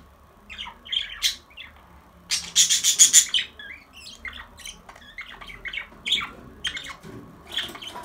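Budgerigars chatter in quick, scratchy chirps and squawks, with a burst of harsh rasping notes.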